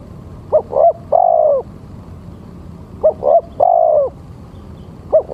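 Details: A male spotted dove's lure call gives three-part coo phrases. Two quick short notes lead into a longer sustained coo. Phrases repeat roughly every two and a half seconds, with a third beginning at the end.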